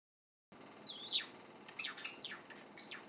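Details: A young white Java sparrow, a captive chick, practising its song while recorded unawares: after a half-second of silence, a high twittering run of thin, sliding whistled notes, falling and rising, spaced irregularly, with a soft room hiss behind.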